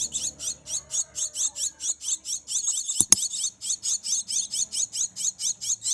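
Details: Hand-fed black-winged myna nestlings, raised from small, beg while being fed: harsh, high, buzzy squeals repeated steadily about twice a second, with one sharp click midway.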